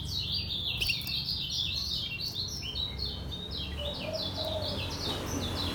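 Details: Lombok yellow white-eye singing ngejos in its cage: a long, steady flow of high, buzzy, downslurred twitters, with a faint lower whistle near the end and a low background rumble.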